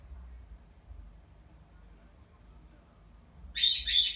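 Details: Indoor black-headed caique kept as a pet, calling to its owner during cage washing: after several seconds of near silence, two abrupt, very loud, rasping screeches burst out back to back.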